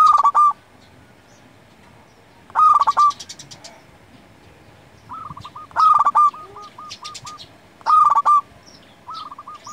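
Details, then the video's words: Lure and tutor song of a local zebra dove for provoking silent doves into singing: loud staccato coo phrases roughly every three seconds, interleaved with quieter repeated coo series, a little higher chirping in the background. "Perkutut lokal gacor Paling Manjur Untuk Pikat & Masteran Hitungan Detik Langsung Nyaut"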